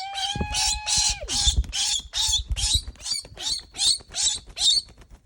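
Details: Very vocal pet rose-breasted cockatoo giving a run of about twelve harsh, raspy screeches in five seconds, evenly spaced and loud, opening with a brief clear whistled tone.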